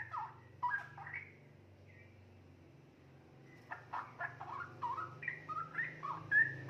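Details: Juvenile straw-headed bulbul, 2.5 months old and kept in a cage, singing mellow, gurgling whistled notes that rise and fall, a short opening phrase, a quiet gap, then a longer cascading run of liquid warbles.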